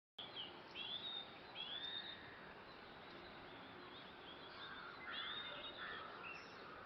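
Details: Group of Red-rumped Swallows in early morning, giving thin upslurred chirps in short bursts, mostly near the start and again after five seconds, above a constant broadband hiss.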